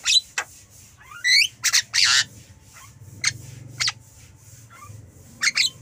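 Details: Harsh squawks and a rising slurred whistle from a Javan myna, followed by spaced sharp clicks and a final pair of loud rasping notes.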